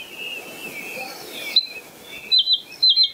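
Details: Luscinia svecica cyanecula recorded at Kølsen-Skals Engsø, 10 April 2020: soft wavering warbled notes give way to sharp, high, ringing double and triple notes repeated about twice a second over a quiet outdoor background hiss.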